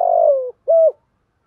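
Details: Spotted dove coo used to excite other doves into calling, from a mixed male and female recording; a long, level, slightly falling low coo, then a short pause and a clipped, rounded second note.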